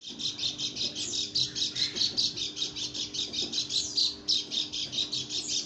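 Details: Female white-eye from Lombok making an unusual sound: a fast run of high, buzzy chirps repeated about three to four times a second without a break. A steady low electrical hum runs underneath.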